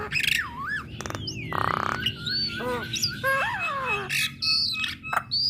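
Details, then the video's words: Female Javan myna song used to make other Javan mynas respond at once: a jumble of harsh squawks, a buzzy rasp, and looping whistled notes that rise and fall, ending with short high whistles, with low background rumble. "Kicauan Jalak Kebo Betina Bikin Jalak Kebo Yang Dengar Langsung Respon"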